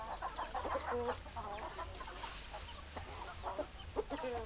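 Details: Several chickens clucking, hens and roosters together, producing clustered harmonic clucks and a drawn-out nasal note near one second, then scattered softer clucks against a constant low rumble.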